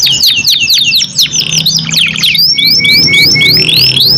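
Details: Canary, Indonesian kenari, singing continuously: fast descending chirp series followed by repeated rising whistled upslurs about four per second, over a low background hum.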